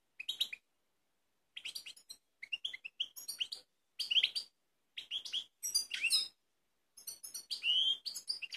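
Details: Goldfinch song from Kumanovo, Macedonia, 16 March 2018, Balkanika type: quick chains of sharp chirps, sweet rising whistles and jangling trills, delivered in short bursts with brief gaps, fairly quiet and clean.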